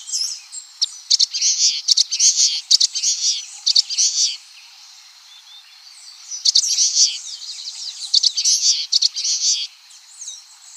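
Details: Common waxbill song, recorded without sound effects: two long bouts of fast, high, buzzy chattering phrases, separated by a brief quieter gap.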